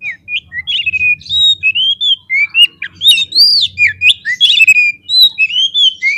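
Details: Oriental magpie-robin (kacer) belting a fighter song to provoke rivals: unbroken sequence of sweet, sliding whistles and crisp chips repeated in quick succession, with a faint low hum beneath.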